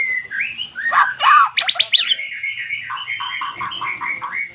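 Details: A magpie-robin that never used to sing performs after recorded song is played to it: whistled openings, a loud harsh burst of sweeping notes, then a steady series of short repeated notes in even rhythm.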